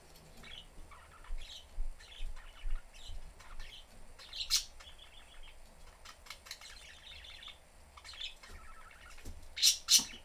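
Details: Three pet budgerigars in a cage with the door open, a father, mother and young bird, going about a normal day: scattered short high chirps and tweets, some in quick bursts, with two louder sharp notes near the end over a low background hum.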